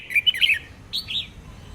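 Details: Female red-whiskered bulbul song used to prompt males to sing: a quick cluster of chirpy warbled notes followed by two longer, clear slurred whistles.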